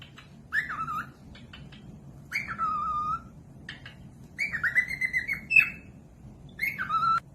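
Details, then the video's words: Cockatiel whistling, meant for other birds to copy. Several separate phrases have a rising-then-falling whistle shape. Mid-way there is a run of fast repeated level notes, and a faint low hum sits underneath. "Cocok buat pemasteran falk yang malas bunyi langsung nyaut pemasteran cockatiels"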